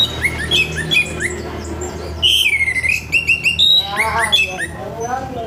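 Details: Orange-headed thrush giving a harsh morning song meant to get other thrushes singing; clear whistled notes slurring down then steady near the middle, among scattered chirps, a burst of stacked buzzy notes, and a low steady hum.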